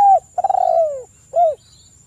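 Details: Spotted dove calling a rival, used as a lure: low mellow cooing, a short note, a longer descending wavering coo, then another brief falling coo, with a faint steady high hum behind.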